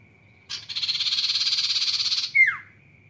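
A sirtu gives a fast, dense, buzzy trill for nearly two seconds, then one sharp downward-sliding whistle. A faint steady high tone hums throughout.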